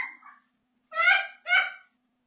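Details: African grey parrot indoors mimicking sounds such as meowing or laughing: a short faint call, then two loud, rich, nasal notes about half a second apart. The room is otherwise quiet.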